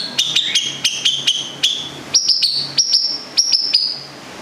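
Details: Long-tailed shrike, a local cendet from Gedong Songo, Central Java, kept for singing, giving crisp, repeated high piping notes, first paired with lower tones, then a series of sharp, level whistles roughly every third of a second.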